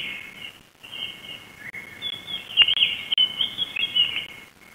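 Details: Black storks on a live camera of the Łódź forest district, Poland, on 23 June 2021 at 13:47, when frogs are brought in, give high, thin, wheezy chirping in an uneven stream that grows louder and busier toward the end, over a faint hiss.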